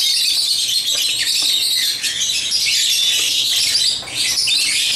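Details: African lovebirds chatter without pause while playing with toys, a shrill, grating wash of rapid chirps and squawks.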